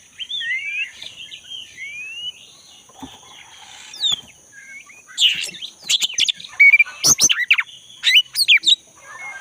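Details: Black-breasted Oriental magpie-robin, a vigorously singing bird recorded in the forest, used as a lure for a caged bird that has stopped singing: clear rising and falling whistles, then a burst of sharp chirps and trills, over a steady high-pitched hum.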